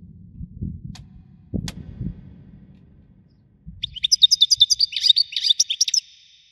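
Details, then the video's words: European goldfinch in Widani-style song. Low rumbling noise and a few clicks come first, then a fast run of bright chirps and twittering trills for about two and a half seconds. "حسون ويداني"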